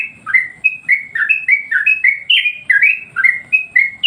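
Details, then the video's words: Master song of a Yellow-vented Bulbul, meant to stir up other birds: brisk chains of bright, downslurred chirps, each note sliding lower, about two per second with slightly uneven spacing. "masteran burung Trucuk bikin emosi burung yang lain"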